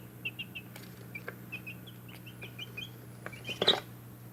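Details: Backyard chicks giving many soft high peeps in quick irregular bursts, with a few clicks and rustling knocks and a constant low hum in the background.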